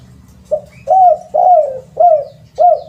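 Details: Lure call of a spotted dove: a series of five round, swelling coos repeated at a steady rhythm over a low background hum.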